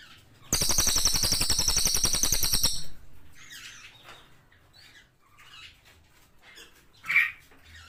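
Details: Singing cililin in lively voice gives a fast, high rattling trill for about two and a half seconds, then scattered soft chirps and one sharp note near the end.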